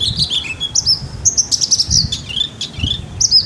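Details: Caged Javan bush lark in lively 'gacor' song: a varied string of high chirps and short whistled slurs, some rising and some falling, with brief pauses between them and faint low background noise.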